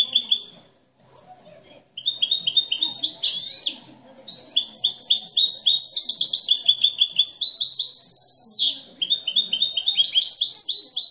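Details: Master European goldfinch in cante limpio, a clean song without faults or discordant notes: a long, rapid, unbroken stream of tinkling, high twittered notes and trills, briefly pausing twice near the start before running on continuously.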